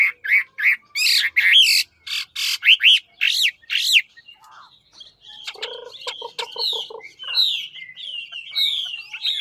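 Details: Chinese hwamei from Lạng Sơn, Vietnam, in fighting song: loud arched whistled notes repeated in quick succession, then a short low rattle and softer descending whistled phrases.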